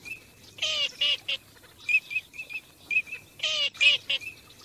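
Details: Teal on migration: two bursts of harsh, nasal, quacking calls separated by a run of short clear whistles at a steady pitch.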